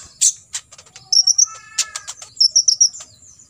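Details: Olive-backed sunbird tutor song in the 'tembakan isian' style: loud sharp chips, then quick runs of three or four thin high whistled notes, with a faint lower whistle.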